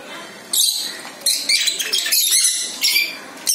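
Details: A pet lorikeet bathing and playing with a sun conure gives harsh, high-pitched screeches in short bursts, repeated several times in quick succession.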